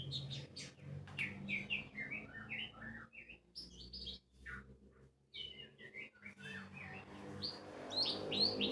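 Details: Lure recording of white-eye song: quick high twittered phrases broken by short gaps, with scattered chirps and low background rumble, intended to draw a rival white-eye into singing.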